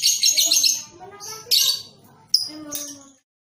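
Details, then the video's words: Young lovebird on a training recording meant to get juvenile birds singing readily with long ngekek chatter; three shrill, raspy high bursts, the first longest, with faint lower chirps between. "TERAPI LOVEBIRD PAUD | CEPAT GACOR"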